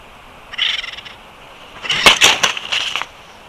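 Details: Wild bald eagles at their nest in Big Bear Valley at the end of the day, 22 April 2021: a short run of high chattering notes, then a louder, longer burst of rapid squeaky calls.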